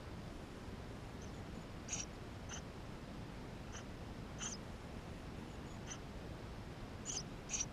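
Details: Inside a Eurasian tree sparrow nest, nestlings make soft, scattered high squeaks, some faint, a doubled pair near the end, above a constant low rumble and hiss; filmed with a GoPro.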